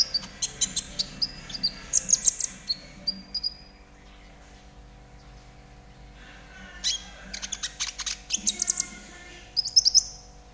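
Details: Konin trotol song for getting caged birds to sing: fast high chirps and whistles at first, a near-silent gap mid-way, then renewed busy chattering and piercing whistled notes.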